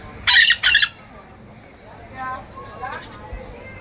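Two loud, harsh, grating screeches of a Scarlet-fronted parakeet in quick succession, then fainter, more tonal chattering calls further off.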